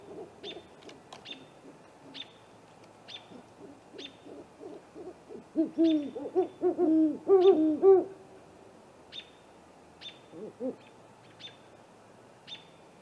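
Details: At night on April 21, a great horned owl pair visits a great gray owl nest snag: soft scattered hoots build to a loud run of arched notes midway, then fade, while thin high whistles repeat steadily throughout.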